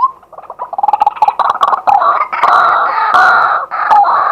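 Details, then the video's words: White-breasted waterhen, a male calling during the day, recorded live: loud, raucous, jumbled croaking and gurgling notes that build into a continuous harsh chatter with a few higher squeaks. "เสียงนกกวัก ตัวผู้ ต่อกลางวัน"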